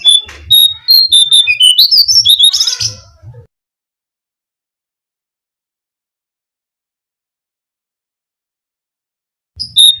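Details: Brown-cheeked fulvetta song played as a lure to attract birds: about three seconds of quick, high, clear whistled notes, some sliding upward, then silence, with a brief whistle returning at the very end.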